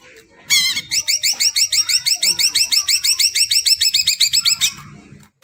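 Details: Greater green leafbird song played to prompt birds that have not yet sung. After a short quiet start come about four seconds of rapid, bright, high repeated notes, roughly twenty in a row, which stop abruptly.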